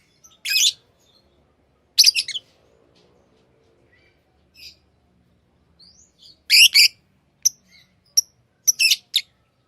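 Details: Tamed lovebirds giving a few loud, harsh screechy chirps separated by quiet gaps, then a cluster of sharp doubled chirps and short squeaks near the end.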